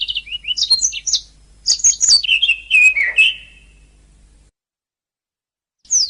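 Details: Singing canary on a training master recording: fast high twitters and trills, then a lower drawn-out whistled phrase sliding down, silence, and a brief final rising note.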